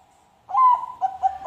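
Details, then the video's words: Perkutut Bangkok zebra dove, a kept dove type, singing as a lure to prompt other birds to sing: a soft low coo that swells, then short repeated hooting notes at steady pitch. "pancingan perkutut Bangkok"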